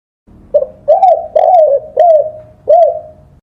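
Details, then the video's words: Spotted dove, recorded for training songbirds, gives a short rolling series of five or six low coos, some drawn out and wavering, others brief and arched, over a faint background murmur. "Masteran suara burung TEKUKUR / DEKUKUR / DERKUKU"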